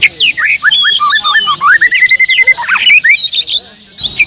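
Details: Loud, varied song of an Oriental magpie-robin: rapid slurred whistles, then a long level whistle, twisting notes and high trills, breaking off briefly near the end; low rumbling background.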